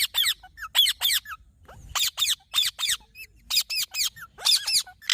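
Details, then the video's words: Green parrot producing rapid harsh screeches in twos and threes, interspersed with small whistled chirps between bursts. "Green Parrot Natural Sounds"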